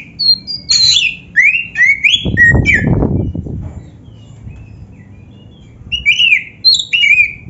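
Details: Kacer, the black-breasted oriental magpie-robin, singing varied fill phrases for bird training: quick upward-sweeping whistles and chips, a low rumbling thump midway, a quiet gap, then more bright slurred whistles.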